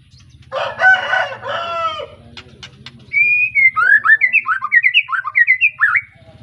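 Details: Young White-rumped shama of the Arko Tangerang line from Pemalang, Indonesia, recently out of juvenile spotted plumage: a rooster-like crow opens, then the shama sings a long whistled note followed by quick, repeated, rising-and-falling warbled phrases over a low hum.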